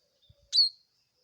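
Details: A single loud, piercing chirp of a Bar-winged prinia, a quick sharp attack sliding into a short thin level tone, in otherwise quiet surroundings.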